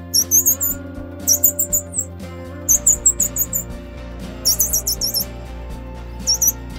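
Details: Grey-cheeked fulvetta chicks being fed give bursts of very high, thin squeaky chirps, four to six quick notes per burst, repeated every second or so over a steady instrumental music track.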